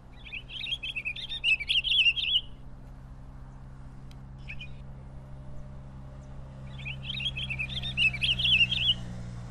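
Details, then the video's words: Pine grosbeak singing two short warbled phrases, each about two seconds of quick, chattering whistled notes, separated by a pause with faint clicks and a low steady background hum. "Canto del Camachuelo Picogrueso"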